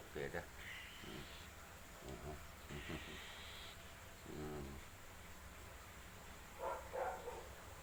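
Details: Cockatiel chick being hand-fed, begging with buzzy, sustained high rasping notes, two long bursts of about half to one second, amid human speech and handling noises in a quiet indoor setting.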